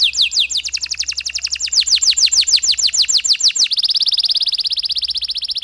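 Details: Canary delivering a long, energetic song meant to stimulate stressed canaries: fast series of sweeping, descending whistled notes repeated several times a second, then switching abruptly to a steady, high buzzy trill.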